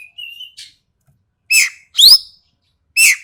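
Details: Ekek keling from Sumatra, voice described as sharp and harsh: a thin level whistle, then loud rasping, noisy two-part notes with a downward-bending tone, spaced about a second apart.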